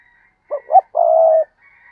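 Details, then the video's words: Low mellow call of a spotted dove: two short rising coos then one drawn-out level hoot, a thin faint whistle heard before and after. "cu gáy"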